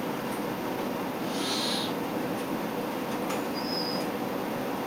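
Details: {'caption': "Juvenile Tengmalm's owl giving a single short, breathy hiss of about half a second. A few faint clicks and a thin high whistle follow, over steady background hiss."}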